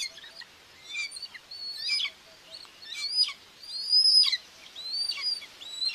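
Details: Nest of common buzzards in Tiszalök, Hungary, June 2, 2024, with the mother feeding two chicks, caught on a nest camera: thin, high, arched whistles repeated roughly once a second, some faint and some louder.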